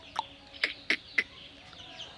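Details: A pet myna (shalik) being taught to talk, on a veranda during rain, gives four short, harsh, clipped squawks about a third of a second apart, with a faint tonal edge, over a quiet background hum.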